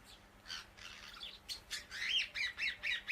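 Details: Indian ringneck parakeet chattering in a rapid, uneven series of harsh, squawky notes, about two per second, growing louder toward the end over a steady background hiss.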